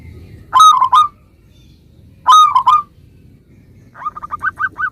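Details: Vocal local zebra dove, its song used to coax replies from other zebra doves: two loud ringing three-note phrases, then a softer run of about seven short rapid notes.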